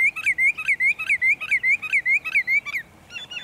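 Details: Sandpiper at sunset at Montezuma, New York, on 5/6/2019: a quick run of high, sharp whistled notes, about four a second, each bending up then down, before a few fainter notes trail off.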